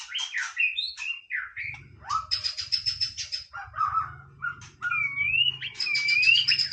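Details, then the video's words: White-rumped shama singing casually, mixing fluty slurred whistles with rapid ticking rattles and a rising clear note, backed by a low hum. "นกกางเขนดงร้องเล่น Shama Bird"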